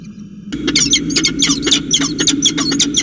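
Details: Peregrine falcons exchanging calls at their nest in Orange, New South Wales, on 25 July 2019: after half a second of quiet, a rapid burst of harsh, scratchy chips and short squealing notes, about four per second, uneven and overlapping.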